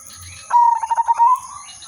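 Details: Zebra dove of the silver udanmas type singing a lively, melodious song meant to prompt other birds and lure them; a steady low coo breaks into about five quick pulsed notes at even pitch, then lifts slightly, over a constant high whine.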